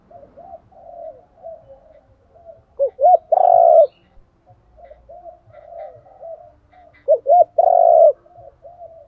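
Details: Decoy spotted dove male and female calls to stimulate training birds: two loud phrases of clipped coos and a long rolled coo about four seconds apart, over steady soft cooing.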